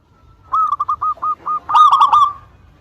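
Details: Local zebra dove in full song, meant to lure rivals into answering: soft evenly spaced purring coos, six in a row, ending in a louder trilled, bubbling flourish.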